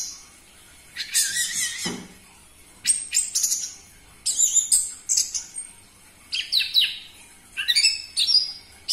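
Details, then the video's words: Orange-headed thrush singing loudly as a lure for captive birds: bursts of rapid, varied whistles and sharp chirping phrases, each lasting about a second, separated by brief pauses, over a faint steady hum. "Pancingan Burung Anis Merah Cepat Teler Suara Kenceng"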